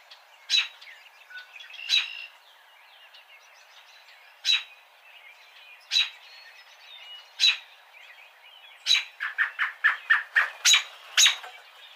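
American robin giving sharp, clipped peek notes every second or two, then a quick run of excited tut-tut notes, over faint background bird chatter.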